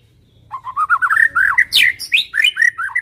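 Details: White-rumped shama, Medan type, in lively lure song to set other shamas singing: a steady flowing string of rising whistled notes with a few high sharp accents and a soft low background rumble.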